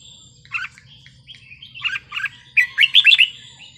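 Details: Wild-style song of a red-whiskered bulbul, played to stir up other birds: scattered chirpy notes building into a fast, jumbled burst of bright whistles near the end, over a faint low hum.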